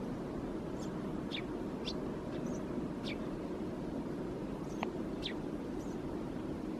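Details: A Eurasian tree sparrow perched in a thicket in Helsinki, Finland, January 2022, gives about eight short, high, dry chirps spaced irregularly over several seconds, above a steady low rumble of distant traffic or wind.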